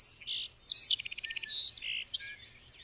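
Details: Song sparrow song, loud and close: two or three bright introductory notes, then a rapid even trill of about ten notes, a short buzzy note and a few softer closing chirps, with a quiet background.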